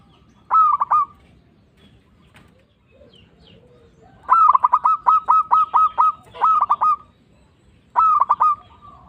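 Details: Local zebra dove in full voice, used as a lure to trap doves and provoke rivals to answer. Rapid bubbling coo phrases of stuttering staccato notes, one long run of about nine notes in the middle, with short bursts before and after.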